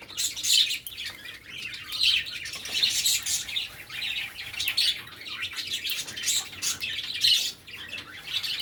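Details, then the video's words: Cockatiels feeding in a village setting, giving dense, overlapping high chirps and short squawky notes in bursts about every second, several birds calling at once, with faint room background. "Bird Chirping Sound | Cocktail Birds Feeding"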